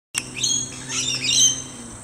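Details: Rainbow lorikeets at dusk in a trumpet tree in a neighbouring garden, flying around and giving harsh, shrill screeches and chattering squawks that overlap in a continuous burst, with a faint low hum underneath.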